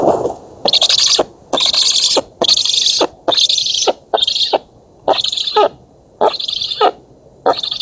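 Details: Black stork nestlings begging at a feeding on an oak nest in Poland, August 2017: loud hoarse hissing bursts repeated about once a second, each roughly half a second long with a sharp onset.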